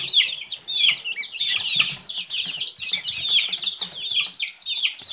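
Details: Silkie chicks in a group, giving a dense chorus of high, thin, downward-sliding peeps that overlap continuously, with faint low thumps and rustling underneath.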